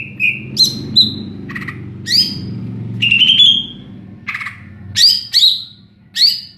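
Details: Greater green leafbird singing in the clear ringing ngeplong style: separate loud whistled notes, some rising and some falling sharply, spaced unevenly with short gaps, over a faint low hum.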